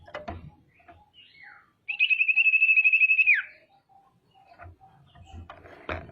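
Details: Female common iora in full voice, meant to stir rival birds to sing and grow agitated: a soft falling note, then a steady rapid whistled trill of about eighteen beats ending in a drop, amid scattered clicks.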